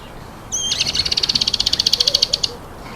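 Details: Speckled mousebird at an apple gives a fast, even rattling trill of about twenty high pulses over two seconds, opening with a thin whistled note.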